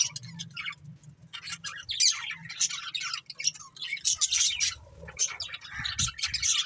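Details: Budgerigars twittering in overlapping high chirps and raspy warbles, softer in places, with a low hum and some faint thumping in the background.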